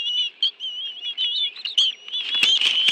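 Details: High, wavering whistles from bald eagles at a nest in Washington, D.C.'s National Arboretum during an afternoon fish meal, 11 June 2017, two adults with two young; the piping is unbroken, rising slightly and growing louder near the end.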